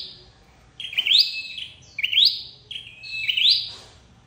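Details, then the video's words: Flowerpecker trapping-lure calls, with longer notes that start level, then jump upward into a bright flick. There are three in quick succession, with soft rustling between them. "Tiếng chim sâu đầu đỏ đi bẫy"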